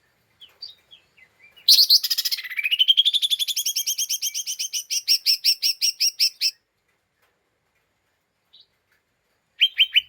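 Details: Lesser green leafbird chattering in an agitated mood to provoke other birds: scattered thin chips, then a long loud burst of rapid harsh notes sliding upward and continuing as a rhythmic chatter for about five seconds, resuming briefly at the end.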